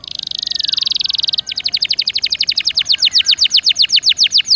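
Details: Canary song used as a tutor recording for caged birds: a rapid buzzy trill running about 1.4 seconds, followed by a long, steady series of sharp descending notes, roughly four to five per second.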